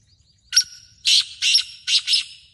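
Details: Black francolin calling in Sindh, Pakistan: one sharp note followed by four loud, scratchy, buzzing notes spaced roughly half a second apart, forming a rhythmic grating phrase against a quiet background.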